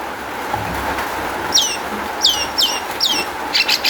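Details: Long-tailed shrike lure song meant to get other shrikes singing: four clear, sharply downslurred whistles about every third of a second, then brief harsh chips, with a continuous low hum behind.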